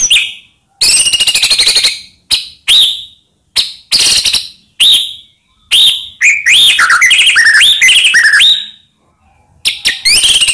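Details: White-rumped shama song meant to agitate other shamas: spaced sharp high notes, then a rich run of looping whistled phrases, a short pause and more bright notes.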